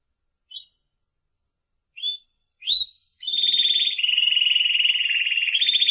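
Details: Timbrado canary song: three brief separate chirps, then a sustained high rolling trill with a rapid pulsing rhythm that runs to the end.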